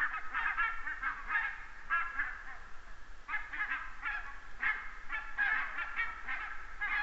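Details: A large flock of geese flies over an Estonian red deer camera on 29 September 2015, giving loud, rapid honks in repeated bunches, several birds calling at once.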